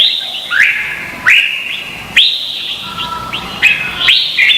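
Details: Competing red-whiskered bulbuls from Vietnam, lure song for training birds. Separate loud whistled phrases, each starting with a fast upward sweep then holding steady, arrive about once a second, with quieter warbles in between.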